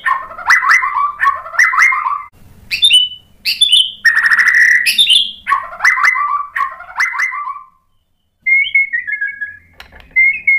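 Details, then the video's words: White-rumped shama lure song for prompting another bird to sing: repeated bold warbled phrases, some harsh buzzy notes in the middle, a brief silence, then soft thin whistles. "KICAUAN MURAI BATU merangsang EMOSI jadi NYAUT GACOR NGEPLONG BONGKAR MATERI | PANCINGAN MURAI"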